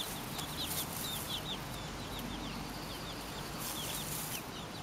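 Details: Garden foraging by four-week-old Pekin bantam chicks with a silver laced Wyandotte hen as mother: thin high peeps in loose clusters, each a brief falling note, over a constant low outdoor rumble.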